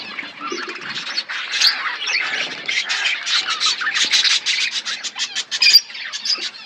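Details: A flock of budgies in an aviary surrounded by forest chirps, the chatter starting quiet and building into rapid, repeated raspy chirps and squawks, loudest toward the end.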